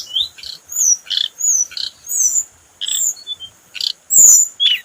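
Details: Repeated high whistled phrases from a scarlet minivet, described as a standard lure song. Short slurred notes arrive about twice a second, with one loud piercing note near the end.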